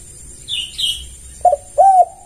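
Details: Spotted dove lure call for attracting other doves: two high thin chirps, then a short clipped coo and a longer drawn coo, over a constant high hum.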